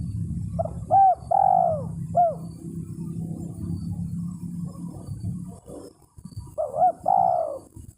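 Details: Spotted dove calling to a rival, recorded as a trapping lure: several short coos and a longer drawn coo early on, a steady low rumbling hum beneath, then a brief pause before another run of coos ends in a long trilled note.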